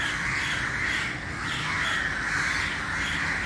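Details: Large early-morning gathering of crows, a dense chorus of harsh overlapping caws that merges into a continuous raucous din with steady background noise.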